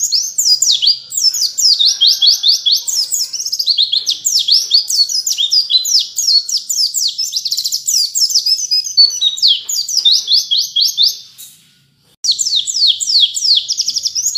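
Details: Caged white-eye training recording: a dense, continuous run of rapid high chirps and trilled notes, with warbling phrases strung together almost without pause, briefly silent near the end before resuming.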